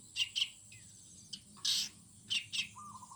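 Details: Morning birdsong in a garden, with bright, high chirped notes in quick pairs, a longer buzzy burst in the middle, and a soft, level lower whistle at the close, against a quiet background.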